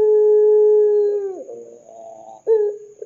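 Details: Ringneck dove calling as a lure for other doves. The tail of a long, steady coo bends downward, then soft murmuring notes and a sharp short note that begins the next call.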